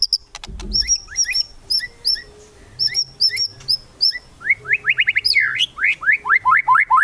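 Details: White-rumped shama, murai batu, singing kretekan to stir rivals into song: spaced high paired chips, then a fast burst of repeated upslurred notes and looping whistles, with a faint low hum beneath.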